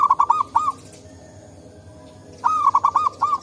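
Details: Wild local zebra dove, answering calls in forest, for luring: a rapid string of bubbling coos at the start and a longer phrase of six notes near the end.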